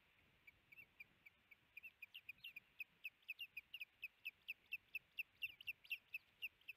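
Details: Male Osprey at a nest in Missoula, Montana, on 17 April 2019, raising the alarm as the female arrives with a big fish: a rapid series of sharp, high, whistled chirps, unevenly spaced, growing denser and louder midway.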